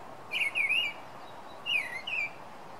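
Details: Night-singing Song Thrush giving brief whistled phrases of quick up-and-down slurred notes, a group of three early on, then two more after a short gap, against a soft constant background hiss.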